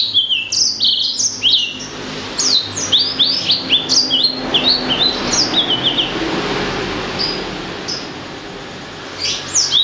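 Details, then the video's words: Blacksang, a hybrid of blackthroat and sanger, singing a lively chattering song of rapid high whistled notes, many sharply falling sweeps and short trills, in a continuous run that fades briefly before resuming, over a faint low hum. "Kicau Merdu Blacksang Gacor"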